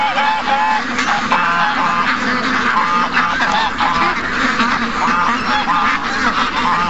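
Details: Morning rush of 700-plus ducks and geese, August 2015: steady massed calling, with clearer drawn-out honks standing out above the constant quacking din.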